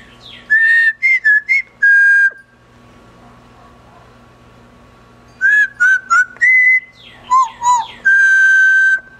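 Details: Pet female double yellow-headed amazon, about 25 years old, out of her cage, whistling part of "Bridge on River Kwai": clear mid-pitched whistled phrases in two bursts with a quiet gap, in an indoor room with a low steady hum.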